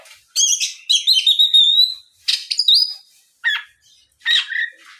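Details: Oriental magpie-robin lure song meant to trigger singing in other magpie-robins; rasping buzzes leading into long whistled notes gliding down, then brief scratchy calls.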